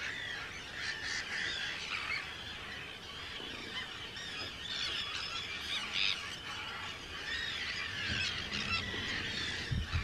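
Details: Large Arctic tern breeding colony, Rottumerplaat, the Netherlands, 4 June 2023. Ceaseless screeching and rasping calls from many birds overlap throughout, with low thuds and rumble near the end.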